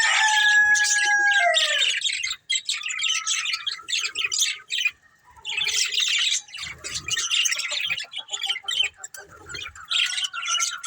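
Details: Budgies, a breeding pair, warble continuously: opening whistled notes slide downward, then long stretches of rapid buzzy chatter and clicks run with brief gaps, threaded by thin steady whistles.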